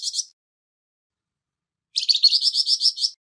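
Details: Rough-voiced Flamboyan bird kept as song-training material for other songbirds. A clipped rasp at the start, silence, then a sustained buzzy series of about ten rapid scratchy pulses.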